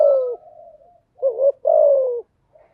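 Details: Spotted dove song played as a decoy to get newly caught birds singing. A long falling coo trails off, then a wavering double note is followed by a sustained, slightly descending coo.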